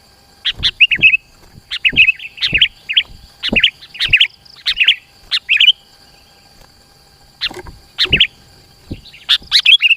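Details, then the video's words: Lively lure song of a sooty-headed bulbul meant to pull rival birds near: quick gurgling fluted phrases in a rapid run, then a pause of about two seconds before more phrases, with soft clicks throughout. "SUARA PIKAT KUTILANG GACOR ASLI_SUARA RAPAT_MENEKAN LAWAN MENDEKAT"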